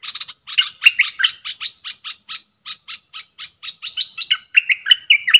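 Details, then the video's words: Dok taeng style song of a caged bulbul answering wild birds in a song duel, 3 October 2021: a run of short spaced chirps building into rich, liquid warbling phrases with falling slurs at the end. "เสียงนกกรงดอกแตงEp.82 ดวลเพลงกับนกป่า!!Birds sounds"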